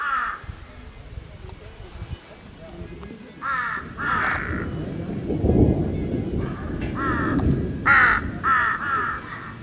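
Harsh, grating crow caws in short bursts, a few spaced seconds apart, over a low rumbling background like wind or distant thunder.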